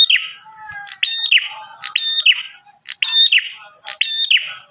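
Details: Bar-winged prinia giving a lively call meant to draw replies from other prinias: quick phrases of a high clipped note falling into a buzzy lower trill, repeated roughly every second against a quiet background.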